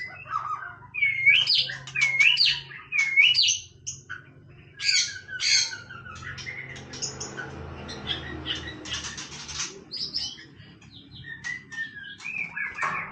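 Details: White-rumped shama in casual song: three matching looped whistles open the phrase, followed by scattered notes and bursts as a hiss of background noise builds, with a low hum throughout.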